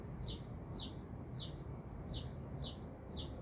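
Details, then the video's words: Lively sunbird song from Binjai, a series of bright, high, downward-sliding chirps spaced about half a second apart, with soft low hum underneath. "Burung kolibri gacor"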